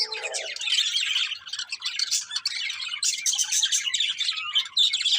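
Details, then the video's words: Breeding pair of colourful budgies keeping up a steady, busy chirping warble, rapid scratchy notes crowding together without pause, with a brief lower murmur at the very start. "Colourful Budgies Chirping Sounds"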